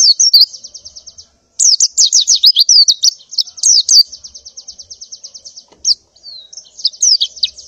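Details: Female white-eye in breeding condition calling the male and flock in the morning; high chirps, a brief pause, then long rapid series of evenly repeated sharp notes.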